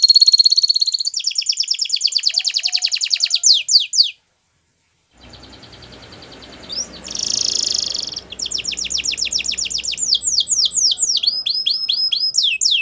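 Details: A Belgian canary delivers fast rattling trills and falling whistles, then breaks off into about a second of silence. Background hiss follows, then a loud buzzy burst and more rapid downslurred notes.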